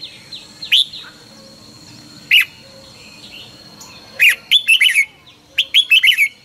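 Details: Red-whiskered bulbul giving morning song used to train birds to sing in the fiery căng lửa style: scattered single whistles, then two quick bursts of four or five bright, bouncing notes, over a constant thin whine.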